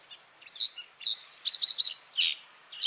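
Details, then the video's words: Common reed bunting song of short, bright, high chirps and trilled clusters in quick irregular bursts, clear against a quiet background. "Common reed bunting | Emberiza schoeniclus"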